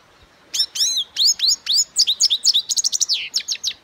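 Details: European goldfinch song, a rapid run of sharp, high, tinkling notes, sweeping down then up, speeding into a dense twittering chatter before fading, clean and without background sounds.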